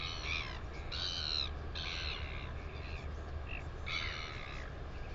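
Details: Northern royal albatross in New Zealand, recorded 9 September 2020: harsh, raspy calls with layered tones, given in several short bursts across five seconds over a steady low rumble of wind.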